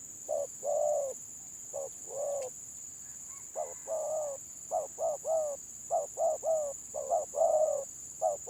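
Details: 'Gagap' stammering song of spotted doves at a village-dove contest: sparse coos at first, then a fast run of short paired notes toward the end, a faint chirp and steady high whine also heard.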